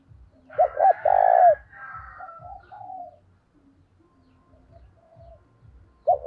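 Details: Decoy spotted dove in training, calling hard to draw in wild doves with an urging "thúc" voice: two clipped low coos run into a longer coo, followed by softer trailing notes, quiet, and a final coo starting, above a soft rhythmic low thumping.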